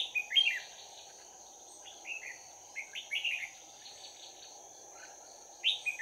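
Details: Trapped red-whiskered bulbul used as a decoy, in fighting song: loud opening whistled notes, then short scattered phrases of two to four quick warbled notes, and a final bright note, against a faint steady hum.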